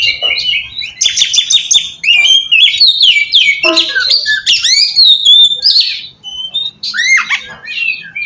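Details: Oriental magpie-robin lure song used to draw wild magpie-robins into answering: a rich, fast run of varied high whistles, sweeping slurs and sharp chips, barely pausing and changing phrase almost every second.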